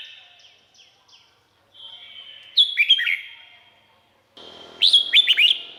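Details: Red-whiskered bulbul from Thailand, song played to excite birds: a few faint soft notes, then two loud bright phrases of quick rising-and-falling whistled notes, with some background hiss.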